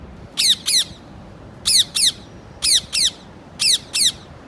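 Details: A parrot screeches loudly in doubled bursts. Four harsh, grating pairs come at roughly one-second intervals, with near silence between them.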